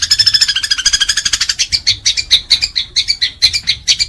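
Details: Fighting house sparrow, kept as a master bird for training pet birds: a dense, fast run of sharp, high chirps, about two a second, harsh and buzzy at first, then clipped and evenly repeated.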